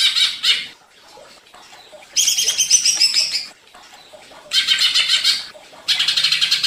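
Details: Agitated greater green leafbird delivering short broken bursts of fast, rasping high chatter, each about one to one and a half seconds long, separated by quiet pauses.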